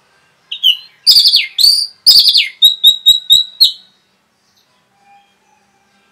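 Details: Orange-headed thrush 'rapet' song, fast and meant to stir other birds; loud slurred whistled phrases followed by five clipped repeated notes about a quarter-second apart, then silence.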